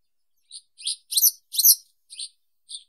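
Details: Western yellow wagtail singing: six short, sharp, buzzy high chirps, some rising or falling in a quick slur, spaced irregularly and loudest in the middle, against an otherwise silent background.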